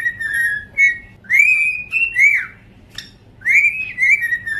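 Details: Duet of domestic cockatiels heard indoors, long sustained whistles that rise and flatten, with brief chirps and one sharp click in between, the phrases following each other closely with short gaps.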